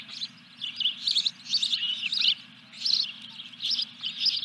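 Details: Softer osprey calling at a nest at Dunrovin Ranch during a fish delivery on 14 July 2021: thin high whistled chirps in short runs with brief pauses, low hum beneath.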